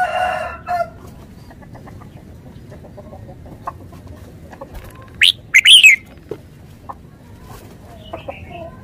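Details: Thai red-whiskered bulbul, a caged decoy bird, singing one brisk phrase of sharp, rising and falling whistles near the end, with scattered faint clicks and a brief low murmur at the start.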